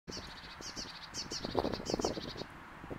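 Blue tit giving a rapid string of thin, high chirps, several short notes each second, with some lower rustling or fluttering underneath.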